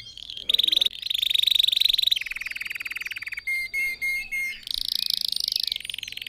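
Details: Red factor canary in song, intended to teach other canaries; trills at changing pitches, a row of four clear whistled notes, then a loud high rapid trill.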